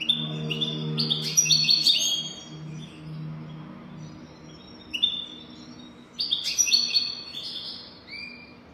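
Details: European goldfinch song, described as a golden-throated singer and used for teaching goldfinches: bright high twittering and tinkling bursts in clustered phrases, with pauses between, over a steady low hum.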